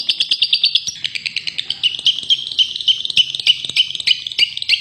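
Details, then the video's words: Long-tailed shrike, a caged bird offered for sale in Bondowoso, Indonesia, singing a fast, continuous chatter of high whistled and buzzy notes, about three per second, with brighter accented notes every half second. "Suara merdu burung cendet"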